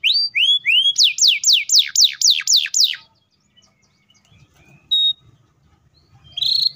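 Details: Canary giving a rapid roll to provoke young and silent canaries into song: two rising whistles, eight quick descending sweeps, near silence, then a single short note and a final buzzy burst.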